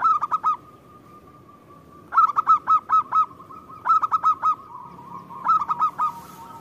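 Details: Actively singing local zebra dove used as a lure: four phrases of five or six loud, bouncy cooing notes each, spaced roughly 1.5 seconds apart, with a faint continuous purr between them.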